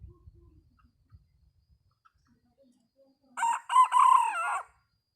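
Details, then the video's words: Red junglefowl crowing well, a single loud harsh crow of about one and a half seconds with a rising start, a sustained middle and a falling end, after near silence with faint low rumbles. "Suab Qaib qus dib tuaj zoo heev. Gà rừng gáy chuẩn"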